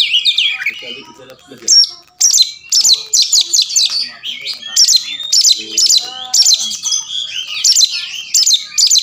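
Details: A young, formerly silent Oriental magpie-robin (kacer), said to respond quickly, fight and fan its tail, gives high, rapid, scratchy chattering phrases in repeated bursts about every half second, with sweet whistled notes mixed in.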